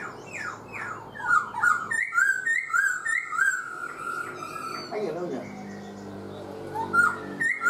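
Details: Black-throated laughingthrush, caged four months, pours out fast slurred whistles and a long sustained note run, then pauses as a human voice briefly intrudes before more whistles resume.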